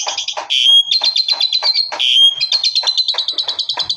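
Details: Asian pied starling in 'tembakan' gunshot-style song: dense, scratchy pulsed notes alternating with bursts of brighter buzzy chatter and brief thin whistles, continuous and powerful throughout.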